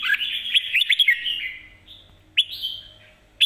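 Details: Mae bot song of a red-whiskered bulbul: a rapid run of chirpy whistled notes, then a drawn-out slurred note and a single sharp upward note.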